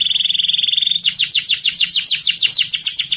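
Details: Canary of the fighting type singing for training: a fast, even high trill that breaks into a run of quick descending sweeps repeated about three times a second.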